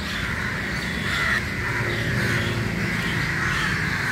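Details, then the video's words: Flock of crows meeting in the early morning, continuous overlapping harsh caws from numerous birds, with steady low rumble underneath. "Very Important Meeting And Corum Of Crow Early Morning"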